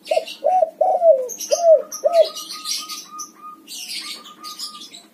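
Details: White backspot colour variety of spotted dove singing: a run of five deep, rounded coos, each swelling then dipping, given in quick succession, then higher chirping from small birds carries on behind in the second half.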